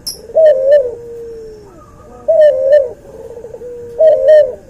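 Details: Cuhu dove, bred from albino white puter and puter pelung, repeats a throaty coo with a long level tail about every one and a half seconds in a quiet setting, with small high clicks.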